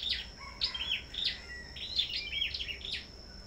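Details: Bird farm with sâu đầu đỏ birds singing in contest. Quick, sharp chirps with rising and falling twitters repeat in tight groups over a steady high background tone.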